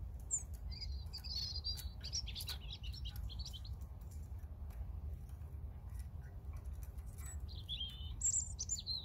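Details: European robin, with a second, unnamed bird also said to be present; thin, high twittering phrases come in a burst over the first three seconds and again near the end, over a steady low rumble.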